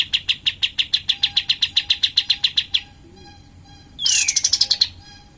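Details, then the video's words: Cream-vented bulbul song, lively and used as a lure to stimulate and boost other kept birds: a fast run of sharp, clipped high notes, about eight per second for nearly three seconds, then a pause and a brief downslurred whistle with another rapid burst. "Kapas tembak Gacor suara pancingan kapas tembak naikin mental kapas tembak kalian"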